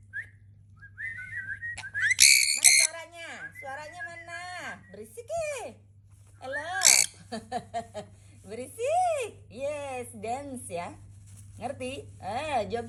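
A sun conure chatters in high, whistly, speech-like phrases broken by a couple of harsh screeches.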